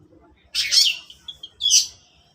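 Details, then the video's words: Long-tailed shrike in the morning giving two loud, grating chattered notes about a second apart, joined by a faint squeaky link. "burung cendet di pagi hari"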